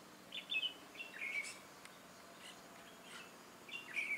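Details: Red-whiskered bulbul used as a decoy bird during trapping, giving fighting song: clear whistled, slurred phrases in short bursts separated by pauses.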